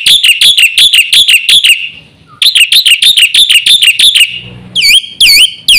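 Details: Black-winged myna singing nonstop with fill-in phrases, offered as a tutor and lure for all myna types: two rapid series of sharp, high chirps, then a few separate, looping whistled notes.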